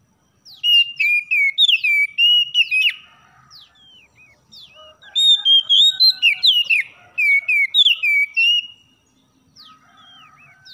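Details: Oriental magpie-robin in the morning, song meant to prompt lazy birds to sing: two long runs of rich rising and falling whistles and sharp chirps, separated by a quieter stretch of soft twittering.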